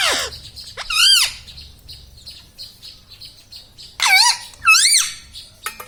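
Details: Pet rose-ringed parakeet, green and ringnecked, that speaks words such as mummy and radhe radhe, produces a falling squawk, then arched syllable pairs around the middle and end, with quiet room noise between.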